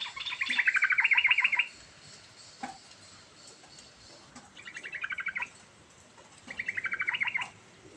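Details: Sooty-headed bulbul, known in Indonesia as trucukan, singing a varied rolling song used to lure a silent bulbul into singing: three bursts of fast bubbly warbling trills, each about a second long, separated by short pauses, with faint clicks between.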